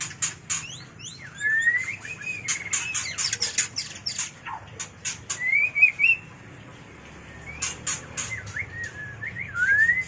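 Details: White-rumped shama mating call for luring birds: harsh chattering clicks in rapid bursts alternating with rising whistled slurs and short warbled phrases.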